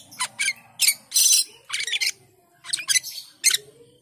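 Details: Asian pied starling delivering loud raspy squawks and chattering bursts, a long grating note early on, then quicker clustered notes.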